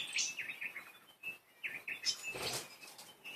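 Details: Playful pet budgerigars chattering steadily: rapid sequences of short warbled chirps and clicks, some buzzy and scratchy, forming a continuous twittering patter with a soft rustle midway.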